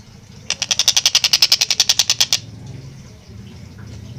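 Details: A Long-tailed shrike in full, lively song with clear, quick-paced phrasing gives one burst of about seventeen rasping notes in under two seconds, then falls silent against a faint low rumble.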